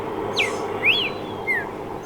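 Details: Three slurred whistles from a streaked saltator: a falling note, an arched rising-falling note, then a shorter falling note, over a soft background hum.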